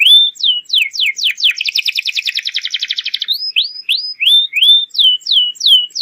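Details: Canary singing a lure song meant to prompt young canaries to respond: downward slurs, then a dense rapid buzzy trill, followed by rising whistled notes repeated about twice per second.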